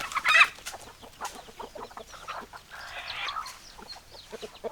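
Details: Chickens clucking, opening with a loud raspy squawk, followed by scattered short clucks and a rougher, noisy burst of calling midway, with faint clicks around.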